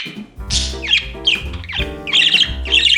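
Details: Budgerigar vocalizing with a Christmas song at New Year 2021: rapid, harsh, high chirps and trills in quick repeated bursts, set against a singer and instrumental backing.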